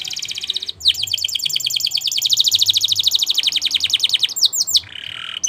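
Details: Canary singing for training: a high trill, brief pause, then a long rapid rolling trill of repeated rising notes for about three and a half seconds, ending in quick chips and a low buzzy phrase.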